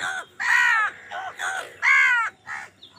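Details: Crows fighting over food, giving loud, harsh caws, several in quick succession with short gaps, each a hoarse drawn-out rasp, some overlapping as the birds squabble.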